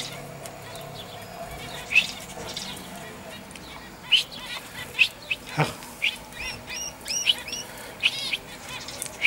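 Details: A common chaffinch (Fringilla coelebs) recorded on 22 August 2013 gives bright, high notes: single notes first, then a quick run of hooked, repeated phrases, over a low background hiss and one dull knock.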